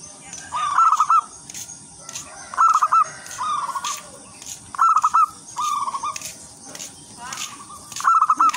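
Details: Wild zebra dove singing melodiously to attract other zebra doves: crisp stuttering trills each followed by a softer rolling coo, repeated about every two seconds, with background hiss and faint clicks.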